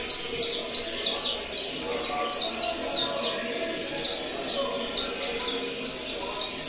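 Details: Saffron finch singing against another bird and testing it. Bright, high chirped notes come in quick clusters, each burst a fast row of sharp descending strokes, repeating almost without pause.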